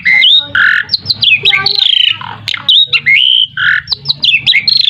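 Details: Asian pied starling, a lure song meant to draw other birds into answering: loud harsh squawks alternating with clear rising and falling whistles, delivered in quick bursts with short pauses.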